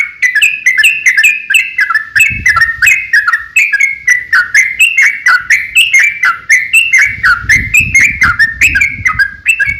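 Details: Fighting song of a sooty-headed bulbul, played as a lure so other bulbuls answer; a long, steady stream of liquid, warbled notes at about four per second, with faint low rumbling in the background.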